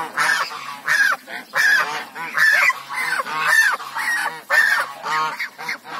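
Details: African geese honking repeatedly, about eight to ten harsh nasal honks in six seconds, several birds overlapping in a steady, noisy chorus.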